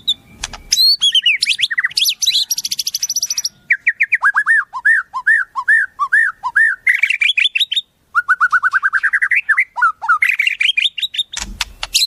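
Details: A white-rumped shama delivers a long, varied song filled with wild-bird phrases: fast trills, a run of arched whistled notes, rising whistle series and chattering bursts.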